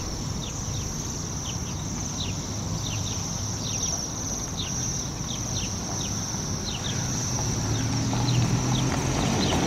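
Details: City waxwings in spring, a noisy flock resting high in a Yekaterinburg yard tree after stripping rowan and hawthorn bushes; unbroken high trilling with many quick chirps, roughly three per second, against steady low city noise.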